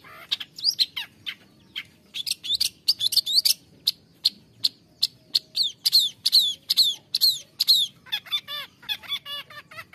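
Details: Song of a long-tailed shrike meant to coax caged birds into singing: a rapid varied medley of harsh chatters and sweeping whistles, dense and continuous, ending in buzzy mimicking phrases.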